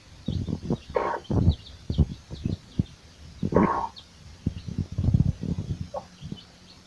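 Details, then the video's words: A hen and her chicks searching for food: a busy run of short, low clucks with two louder, rasping calls near one and three and a half seconds. Faint high peeping from chicks runs over the top. "SUARA ANAK AYAM DAN INDUKNYA SEDANG MENCARI MAKAN | The sound of a chick and its mother"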